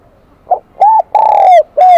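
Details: High, bell-like Kim Đồng voice of a wild-caught spotted dove: a quick soft note, an arched coo, a long slightly falling coo, and the start of a final coo.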